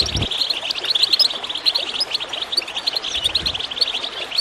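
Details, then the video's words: Goldfinch chirping beside gurgling water, meant to encourage other birds to sing: a dense, continuous run of high, quick twittering notes with short sharp chirps overlapping throughout. "Water gurgling with goldfinch chirping to encourage birds to song"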